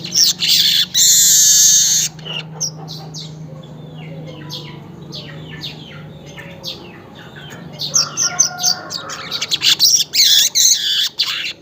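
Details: Weaver singing at dawn, about 5:40 in Indonesia, as a lure sound: two seconds of intense sizzling buzz, then a quieter stretch of quick thin chirps, and rapid stuttering buzzy notes toward the end over faint hum.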